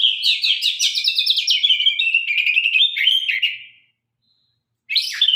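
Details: Sabang-line White-rumped shama in vigorous, sharp-toned song: a dense, rapid stream of high chattering and trilled notes that gradually lowers in pitch, falls silent briefly, then resumes with a strong whistle.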